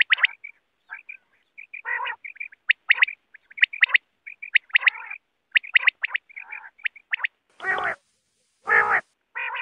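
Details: Bater, or quail, calling for hunting use: busy sequence of sharp high chirps, short whistles and rasping harmonic notes repeated roughly every second, ending with three loud harsh broad-band bursts.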